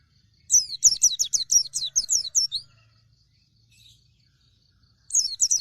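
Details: Singing dakun Oriental white-eye: a fast two-second volley of high, downward-slurred chirps, a pause, then the next burst starting.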